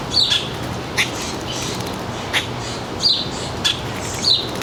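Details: Summer afternoon, about 4 p.m., at a suburban backyard feeder in northern New Jersey, July 3, 2022: thin, high descending chirps repeated roughly every second or so, separated by soft clicks, against low steady ambient rumble.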